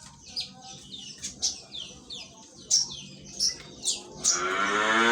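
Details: Indonesian greater green leafbird singing a string of clear, high whistled notes that slide downward, spaced unevenly about every half second, before a loud harsh burst at the end.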